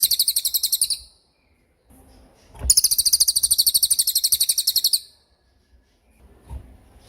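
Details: Cililin in tembakan style, a training recording for songbirds: two bursts of rapid, evenly pulsed high trills, a short one and then a longer two-second run, separated by a pause with faint background noise.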